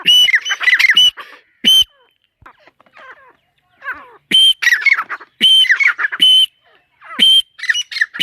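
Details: Female teetar partridge calling in loud, harsh bursts with whistled notes, broken by a short pause of softer chirps before the calls resume.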